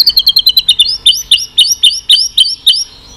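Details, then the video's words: White-rumped shama giving continuous 'tạch' notes, used to stimulate a weak-spirited bird: a rapid run of short high chirps that slows into evenly spaced, sharply upswept whistled notes, about two per second. "Chòe lửa tạch liên tục"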